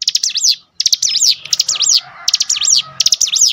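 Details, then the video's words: Lure recording of a cinereous tit to stir other tits into song: energetic, repeated phrases of dry clicks and high rising-falling whistles, about five phrases with brief gaps. "spontan emosi Cigun manapun langsung gacor dengan pancingan ini"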